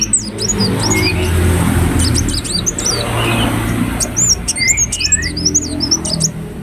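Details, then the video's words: Ruby-cheeked sunbird singing actively as a lure: high sharp chips and twisting squeaky phrases in two bursts, over a loud low rumbling background. "Kolibri Wulung Gacor Latah Gampang Bunyi"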